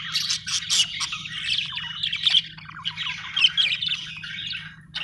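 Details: Budgerigar chirping, an Australian bird: continuous rapid, scratchy warbling chatter with squawky notes and quick chirps, nearly unbroken, over a constant low hum.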